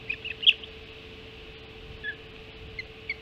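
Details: Hog Island ospreys at the nest during first breakfast, 05:20 on 7 July 2016; a few scattered, high whistled chirps, one louder note early, then sparse faint calls against steady background hiss.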